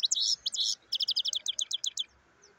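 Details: European goldfinch singing a fast, bright twitter: a tight cluster of high chirps, then a short pause and a run of about ten quick, evenly spaced metallic notes, over a faint steady background hum.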